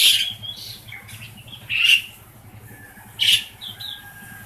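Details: Tame caged black-collared starling, a noisy pet used for training other starlings: three harsh, buzzy high bursts spaced about one to one and a half seconds apart, over a low droning hum.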